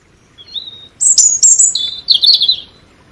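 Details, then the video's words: European robin singing: a thin high whistle, then a bright rush of high warbled notes followed by lower trilled phrases, all clear against a quiet background. "Relaxing Birdsong European Robin"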